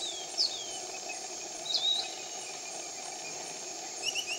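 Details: Piratic flycatcher, a canopy bird, near Iquitos, Peru, giving a few thin, high whistled notes, one slurring downward, spaced over several seconds against a steady insect drone.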